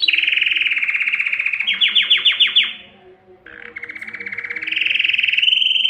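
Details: Male Belgian canary song used to excite females for breeding, with rapid rolling trills, a stretch of slower pulsed notes, a short pause, then loud steady buzzy trills resuming.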